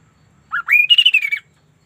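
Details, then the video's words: Sunda laughingthrush singing unusually: a short rising whistle, then a longer upswept whistle running straight into a rapid chattering string of bright, slightly descending notes, all within one second. "GACORNYA KASO-KASO INI BERBUNYI TAK BIASANYA"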